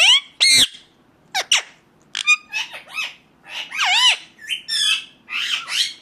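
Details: Indian ringneck parakeet making its natural sounds: sharp isolated screeches followed by a chattering run of warbling, bending squawks.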